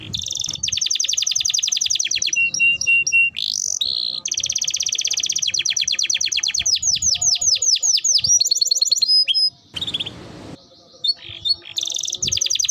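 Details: Canary song for training other birds, a long varied performance of fast buzzy trills, rolling repeated notes and sweeping slurred whistles, with a brief pause and a burst of rustling noise near the end.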